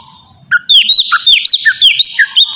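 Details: Oriental magpie-robin song used as a lure to provoke other birds into answering. After a faint start, loud clear whistled phrases follow, sliding up and down in quick varied notes with short gaps.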